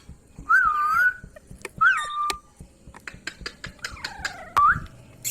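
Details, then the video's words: Ringneck parrot, a rose-ringed parakeet, giving clear whistled notes that rise then level off near one pitch, in two or three drawn-out phrases with short sharp clicks and chirps between them. "Parrot Talking |Ringneck parrot sound"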